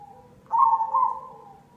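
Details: A single sustained, slightly wavering coo from a cemani zebra dove, used as a lure to coax others into singing, rising abruptly then tapering off over about a second.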